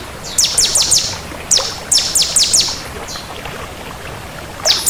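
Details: Lively crystal bar-winged prinia: a run of sharp, high, descending chip notes in quick succession, some in close pairs, then a pause and a final note, over steady background hiss.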